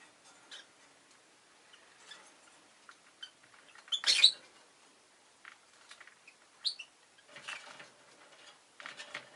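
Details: Rosy-faced lovebird chirping: scattered short, thin high chirps across the stretch, with one louder harsh broadband screech near the middle and a few later rasping bursts.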